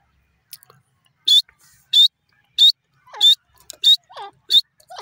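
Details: Grey francolin calling: loud, sharp, high piercing notes about every 0.6 seconds, alternating later with lower slurred whistles, against a quiet background.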